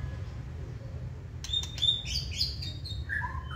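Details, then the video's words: White-rumped shama kept in a cage, singing with its tail fanned: after silence, sharp clicks lead into high thin whistles and buzzy slurred phrases, ending with lower fluting notes against a steady low hum. "Chòe lửa siêng tạch chơi đuôi bung xòe kích là hót"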